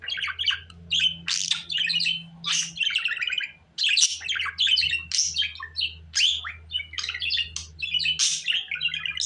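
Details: Budgerigar warbling almost nonstop: rapid squeaky chirps, trills and scratchy notes run together in bursts with a few louder harsh notes. A faint low hum sits underneath throughout.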